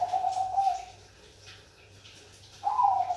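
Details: Bangkok-type zebra dove singing: a trilled, rolling coo phrase held level and slightly falling, then a pause of nearly two seconds before the next trilled coo begins, with a faint low hum underneath.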